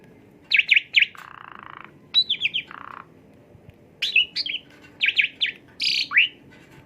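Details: Asian pied starling song used as a lure to stimulate a bird: quick falling chirp triplets separated by long, flat buzzy rasps, ending in scattered whistled notes and a harsh squeal.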